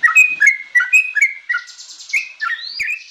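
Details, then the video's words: Yellow-vented bulbul youngster singing: rapid, chattering whistled notes that slide down and back up. Short phrases tumble together, then end in a few higher rising slurs. "MASTERAN TRUCUKAN ANAKAN||FULL ISIAN ||TERAPI BURUNG TRUCUK"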